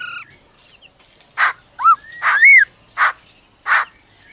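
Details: Female laughingthrush giving "ro ro" calls to excite a male; separate broad bursts alternate with curved arching whistles, then two more bursts evenly spaced near the end.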